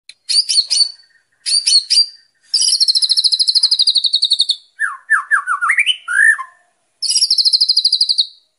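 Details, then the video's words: White-rumped shama (murai batu) song used as training audio for untrained birds: bursts of rapid high trilled notes, then a series of lower rising whistled slurs, ending with another fast high trill. "WHITE RUMPED SHAMA CALL"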